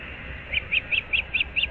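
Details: Osprey at a nest in Naples, Florida, recorded 15 April 2024 at 06:37: six clear, evenly spaced whistled chirps begin midway, each a short bright yelp, with faint low background rumble.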